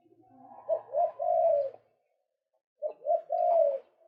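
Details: Male White-breasted waterhen calling, kept as a lure sound: two matching phrases, each two short hooked notes followed by a longer drawn-out note, separated by about a second of silence.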